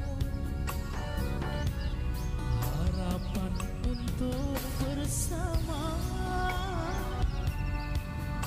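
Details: Asian pop music with a sung melody and a heavy beat fills the recording, and no animal call can be picked out.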